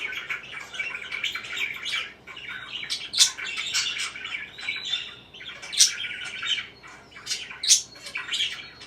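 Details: Parakeet chirping: a continuous, busy chatter of scratchy, high chirps and warbles, with louder sharp squeaks standing out around three, six and eight seconds.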